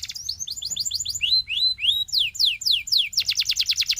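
A Belgian singing canary pours out a rapid, high song: repeated rising whistles, then sweeping downslurred notes, ending in a fast buzzy trill.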